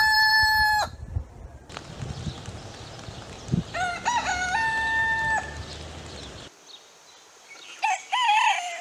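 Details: Several rooster crows of different breeds in succession: a bright crow cut off at the start, a longer crow with a stuttered opening and a held level note over steady background noise, then a wavering crow at the end.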